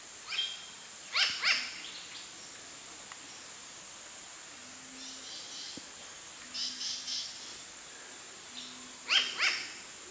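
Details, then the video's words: Alarm calling by a New Caledonian crow showing vigilance behaviour and beak-wiping: harsh, raspy caws in pairs or short bursts, separated by pauses of several seconds, with faint low hums and steady hiss between. "New Caledonian crow alarm calls"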